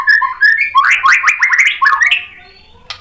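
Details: Bait song of a white-rumped shama meant to provoke rivals: clear rising whistles open, then a dense burst of fast warbled and slurred phrases before trailing off into softer notes.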